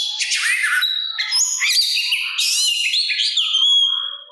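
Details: Singing Oriental magpie-robin, known locally as kacer, calling out to provoke other birds to respond; short burst of harsh buzzy notes, then fast varied whistles ending on a clear high sustained tone.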